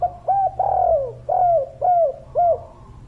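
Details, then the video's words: Spotted dove of the kuk-3 style, a lively local caller, producing a rhythmic series of hollow coos: a short lead note, a long sliding coo, then three shorter falling coos, over a faint low rumble. "Derkuku Tekukur Gacor Suara Padat"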